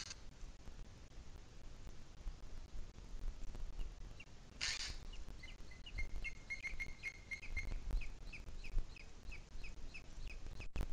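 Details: Booted eagle in Spain's Sierra de Guadarrama at 17:53 on 2 July 2021, starting after a gusty quiet spell with a burst of high, piercing notes that run into a quick, even series, then fading into wind.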